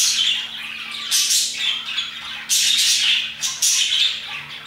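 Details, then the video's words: Parakeets chirping their hearts out around 2pm, harsh squawks and shrill chirps crowding together in loud bursts with short, quieter gaps between them. "Parakeets chirping and singing their hearts out"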